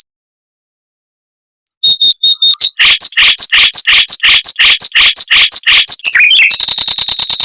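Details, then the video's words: After silence, a mockingbird bursts into fast, tight rolls and long volleys meant as a model for white-rumped shamas: a few pure tones, then quick repeated buzzy notes, closing in a dense high trill. "Suara Burung Mockingbird Roll Speed Rapat Tembakan Panjang untuk Masteran Murai Batu"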